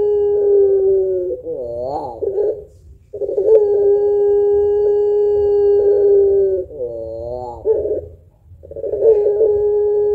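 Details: Puter pelung dove giving long thick coos as a lure for other birds. Steady, drawn-out humming notes alternate with wobbling, up-and-down throaty phrases every few seconds.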